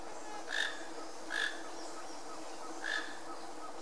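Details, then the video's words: Toco toucan calling in Iguazu National Park, northeastern Argentina; three short, harsh, nasal croaks with rich harmonics, the first two close together and the third after a longer pause, over a steady background hiss. "Toco Toucan"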